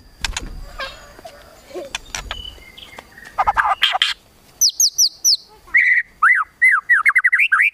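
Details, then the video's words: Murai batu (white-rumped shama) delivering a 'kretekan tembakan' song to provoke emotion: scattered clicks and harsh rasping bursts give way to quick high down-slurred notes, then a fast series of rapidly repeated descending whistles. "KRETEKAN TEMBAKAN MURAI BATU MEMANCING EMOSI"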